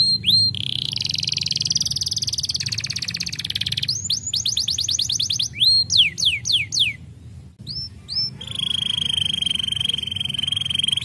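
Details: Varied canary song: a long rapid trill, a run of quick falling whistles, a short pause, then a sustained, steady, high rolling trill.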